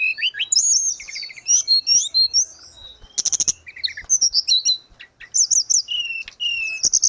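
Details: Grey-cheeked bulbul in vigorous 'gacor' song, used as therapy and tutoring audio for caged birds: rapid high chirps, trills and short whistled slurs in dense bursts, with brief pauses and faint low thumps.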